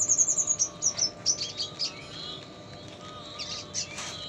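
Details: Tutor song from a diligent red siskin, mixed with lovebird sounds: a burst of very high, rapid chirps that slows into spaced twitters and fades to faint scattered notes over a steady background hum.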